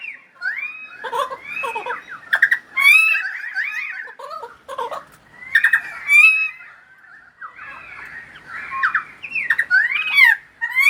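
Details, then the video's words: Pied currawong singing in the rain in Sydney; loud ringing, fluted whistles and gurgling slurred phrases, some rising and falling, delivered in bursts with short pauses, with sharp crackling clicks between phrases. "Pied Currawong singing in the Sydney rain"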